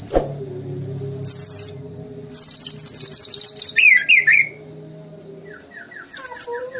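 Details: White-rumped shama (murai batu) singing a lure song in the tembakan style: a low stutter, buzzy high trills, then slurred rising-falling whistles and a short descending run, with a faint steady low hum behind.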